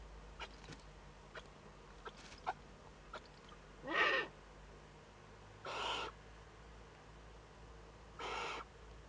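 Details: Nest webcam, northern Rhineland-Palatinate, Germany, 15 May 2013: a young Eurasian eagle-owl's first contact with another owl, with scattered soft clicks and then three breathy rasping hisses, spaced about two seconds apart.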